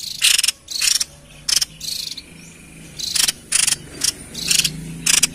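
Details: White-chested babbler, its song used to lure wild birds: harsh, buzzy, rattling bursts in short clusters of two or three, with brief pauses between them.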